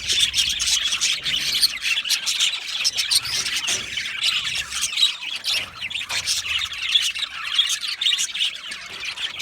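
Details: Aviary budgies from Australia keep up a busy chatter of quick, harsh chirps and squeaky notes. The overlapping calls pulse louder and softer throughout.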